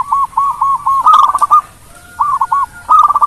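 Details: Zebra dove, a local bird in lively voice, its song played to provoke rivals into answering fast; soft purring coos run together in quick pulses, then short breaks and fresh rolling phrases.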